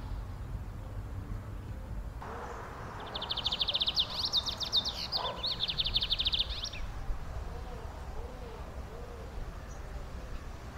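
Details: Lined seedeater in the wild in Brazil, singing in the rapid 'metralhando' machine-gun style: a fast, high, buzzy trill lasting about four seconds over steady background noise, followed by soft lower hooting notes.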